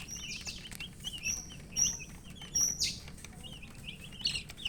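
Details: Chicks of the domestic chicken, thirsty for drinking water, chirping continuously: high, short peeping notes that repeat rapidly and overlap, some sliding downward, over a steady low background hum.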